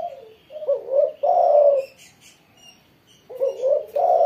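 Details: Spotted dove singing briskly after a morning in the sun: a short coo, then a rising note and a long loud mellow coo, a pause, and the phrase starting again; faint high bird chirps behind.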